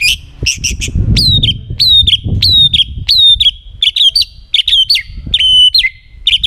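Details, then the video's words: Vigorous white-rumped shama song meant to prompt other shamas to sing along: a series of loud, high, downslurred whistled notes repeated roughly every half second, over low background rumble. "murai batu gacor sangat cocok buat pancingan murai batu agar bunyi ikut NYAUT"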